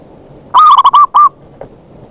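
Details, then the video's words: Zebra dove call used as a lure to attract wild birds; a loud, clear cooing phrase of four quick rolling notes followed by a slightly separated fifth note, with a faint soft note after. "Pancingan bunyi + pemanggil perkutut liar"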